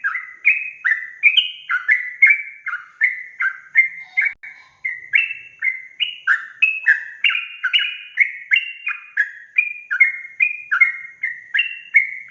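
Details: Sustained sooty-headed bulbul song in ropel gacor style, played to rile up other bulbuls: a long, unbroken string of quick, chirpy whistled notes, each a sharp upward jump then slide down, delivered evenly for over twelve seconds.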